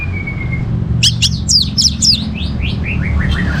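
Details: Orange-headed thrush in lively song, played to get other birds singing: a faint thin whistle, then a quick cluster of sharp high notes and a falling series of slurred whistles, with low humming behind.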